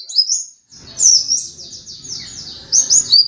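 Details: Pleci dakun white-eye, a contest runner-up, singing a continuous high thin twittering warble of rapid slurred notes, over a low rumbling background noise.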